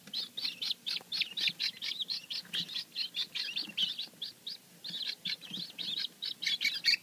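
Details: A new batch of freshly hatched guineafowl keets, raised domestically, peeping continuously: shrill high chirps packed closely together at about four per second for seven seconds, with overlapping voices and a soft low hum behind.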